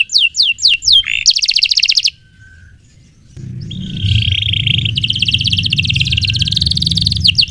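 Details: Canary song for training: a few downslurred whistles and a dense buzzy trill, a short pause, then a long, sustained rolling trill over a low background rumble.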